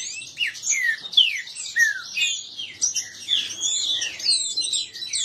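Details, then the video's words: Several kept green-winged saltators, males disputing, in a dense chorus of overlapping whistled slurs and sharp chirps, many notes sweeping down from high to mid pitch, phrases tumbling over one another without pause. "trinca ferro disputa e baderna"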